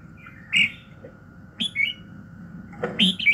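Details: Red-whiskered bulbul calling in the morning, a training recording to kindle fighting fire: three short, sharp rising-and-falling whistled notes about a second apart, faint hum underneath.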